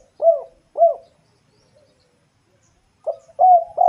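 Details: Low, mellow cooing from a bird: two short swelling notes, a pause of about two seconds, then a burst of longer, steady coos.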